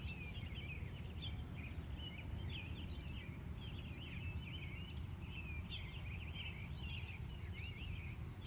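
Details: Montana wild birds greeting the morning in Glendive, USA, recorded live from 3:45 a.m.; dense overlapping twittering and warbling runs throughout, with a steady low-pitched rumble underneath.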